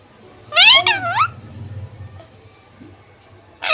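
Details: Pet talking parrot indoors voicing a rich harmonic, word-like phrase with wavering pitch, then a pause and the start of another call.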